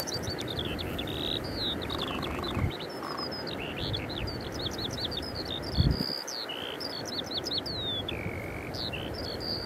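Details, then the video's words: A singing Eurasian skylark at Eyemouth on 30 May 2024 pours out a long, unbroken stream of high chirps, trills and slurred whistles over a steady background of wind. "Feldlerche – Eurasian skylark – Alauda arvensis"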